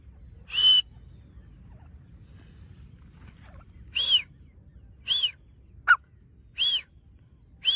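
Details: Partridge (teetar) giving single sharp whistled notes that rise then fall, spaced about a second apart after an early pause, with one brief lower note; background otherwise quiet.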